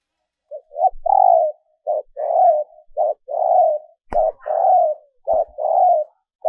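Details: Female dove calling to lure males; steady series of pulsed coos, short note followed by longer rolling coo, repeated about every second in a regular rhythm, with faint clicks.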